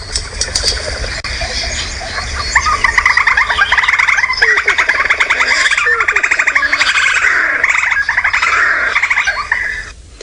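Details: Black Crake call played from a phone during a sunset safari drive in the Sabi Sand, South Africa, December 10, 2017: a fast, bubbling chatter of harsh, rattling notes running several seconds, over soft wind-like hiss.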